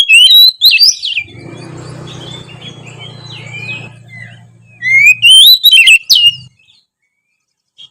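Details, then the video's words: Oriental magpie-robin singing in a lively, chatty style meant to prompt idle magpie-robins to sing. Rapid whistled trills and slurred notes, over a low steady hum in the middle section, then a loud burst of varied whistles. "siulan kacer gacor memancing kacer malas bunyi menjadi lebih rajin bunyi"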